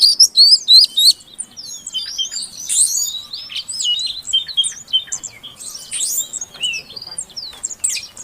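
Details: Rapid, high-pitched chirping from a female Oriental magpie-robin, used to coax a silent male into song. Short hooked and looping notes repeat about three per second, with louder bursts at the start.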